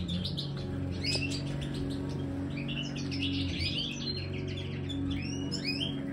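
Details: Caged Major-type European goldfinch in an aviary, given a marigold treat, delivers scattered chirps and a run of slurred, rising twitters late on, over a steady droning hum.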